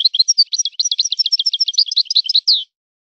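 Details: Continuous stream of high, jangling twitters and chirps from a European goldfinch singing in a breeder's song style, closing with a downslurred note.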